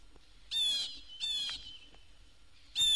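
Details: Florida Blue Jay giving harsh, rasping calls. Two half-second notes come close together, then a third after a pause, all loud and noisy with a buzzy, scratchy quality.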